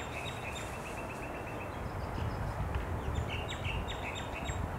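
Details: Male Australasian figbirds in a popular recreation area at Hawthorne Canal Reserve, Sydney, NSW, in late July 2017, giving quick series of short high chirping notes over steady low rumbling background noise.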